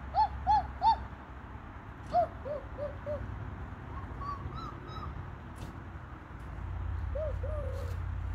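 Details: An owl gives short, clear hooting notes in quick groups of three, then softer arched and wavering hoots trailing off, over a steady low rumble outdoors.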